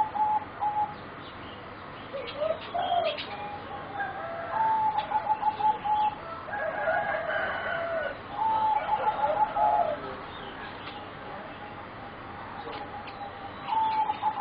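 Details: Four young competition singing zebra doves, around 3.5 to 4 months old, cooing in bursts: level whistled notes, rolling trilled phrases in the middle, quieter stretches, then renewed notes at the end, with occasional clicks.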